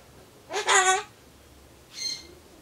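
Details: A pet Ducorps's cockatoo (Cacatua ducorps) talks to itself while waiting for pumpkin, a rough, nasal half-second phrase, then a shorter, higher squawk about a second later, in an otherwise quiet room.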